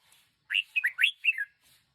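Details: Single cheerful phrase from a one-year-old decoy red-whiskered bulbul: four quick, slurred whistled notes, bouncing up and down and ending on a falling note.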